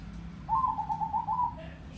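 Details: Zebra dove of crossbred stock, described as deep-voiced and loud, delivering one quick stuttering coo phrase of rapid pulsed notes, slightly falling at the end, against a low hum.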